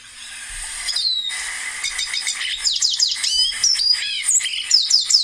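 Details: Lesser Goldfinch, a 10.2 cm bird found between 200 and 3100 m and occurring in the Rio Blanco reserve, Caldas, Colombia; fast, high twittering song of varied chirps and downslurred whistles, rising in loudness, after a steady tone.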